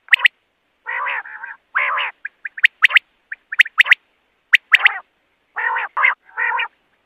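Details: Common quail (Coturnix coturnix) giving harsh, nasal, buzzy bursts mixed with sharp, clipped high notes in an irregular run, roughly one a second, with no other sounds.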